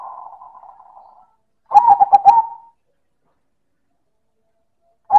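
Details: Silver perkutut (zebra dove) in loud manggung song: a soft, rough, buzzy trill fades out, then one crisp phrase of staccato coos ends in a drawn note, and the next phrase begins as the clip ends.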